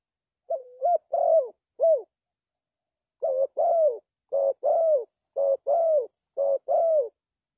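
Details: Spotted dove used as a trapping decoy, cooing in repeated low mellow phrases. Each phrase pairs a short note with a rolling, gently falling coo and an arched closing note, about a second apart, with a brief pause mid-sequence.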